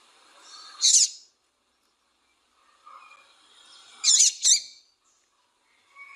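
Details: Female double-collared seedeater calling and chirping, used to stir a quiet male into song: two bursts of sharp, high, buzzy chips about three seconds apart, with faint lower chirps between them.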